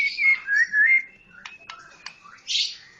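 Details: Medan white-rumped shama giving soft wavering whistles, then a few sharp clicks over a thin held tone and a brief burst of hissy high sound.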